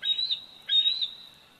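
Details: At its Big Bear Valley nest on 27 July 2019, a 104-day-old bald eagle eaglet gives two loud, shrill, whistled squeals close together, each trailing off, recorded by nest cam.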